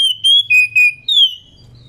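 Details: Female White-rumped Shama in breeding condition, calling to a male and used to prompt males to sing: four loud, clear whistled notes, the first steady and high, the next two lower and flat, ending in a sweeping downward slur.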